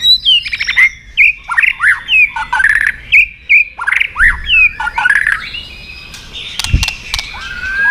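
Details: White-rumped shama giving fighting song with a tail-snapping click, used for training. Rich, varied whistled phrases with swooping and sliding notes, tumbling quickly one after another, ending with sharp clicks and a long rising whistle.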